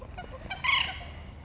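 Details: A common moorhen, one of two fighting seriously on Heslington West lakes, gives one short, harsh, grating squawk after a few faint clicks, over a low background rumble.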